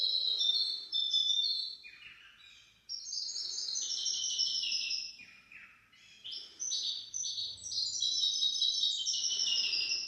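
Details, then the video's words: Goldfinch-canary hybrid delivering its teaching song for goldfinches and canaries. Rapid, high, silvery twitters are broken by several quick downward slurs. The song runs in two longer bursts separated by a short quieter stretch. "تغريد طائر الهجين الميسترو حفاضة ودانية لتعليم طيور الحسون والكناري بدون أخطاء"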